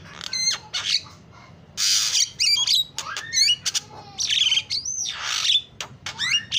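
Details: Javan myna singing a lively isian song, alternating broad grating squawks with sharp upward-sweeping whistles and quick ticking notes, delivered in uneven bursts with little background.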